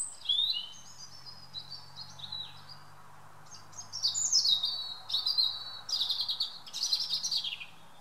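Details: European robin's evening song in a garden, several high, varied phrases of trills and sliding whistles growing louder and denser, over a faint low steady hum.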